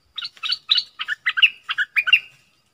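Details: Caged decoy streak-eared bulbul singing to lure wild birds in January 2021: eight bubbly, gurgling chirps delivered in a steady rhythm, about three per second, ending on a higher fading note.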